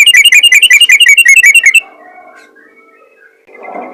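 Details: Yellow-vented bulbul calling in ropel ngalas style to attract other bulbuls: under two seconds of rapid, high, evenly spaced chirps, then near silence.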